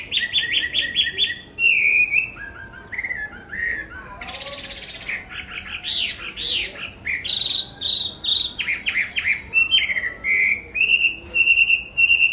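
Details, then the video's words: Chinese hwamei in full song, a long, varied stream of loud whistled phrases: rapid repeated notes, sliding slurs, a burst of harsh broadband sound midway, then steady repeated whistles near the end. "tiếng hót hay nhất của chim họa mi phần 2 | The beautiful song of the nightingale part 2"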